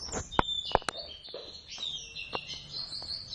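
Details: Oriental white-eye of the Javan subspecies practicing ngeriwik song in a duet. Shrill, high, wavering notes run almost continuously, with loud knocks and clicks scattered through.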